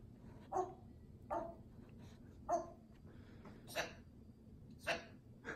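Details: Pet African grey parrot indoors imitating a dog, barking as if it were one: six or seven short, harsh bark-like bursts spaced about a second apart, each broad and noisy, in a quiet small room.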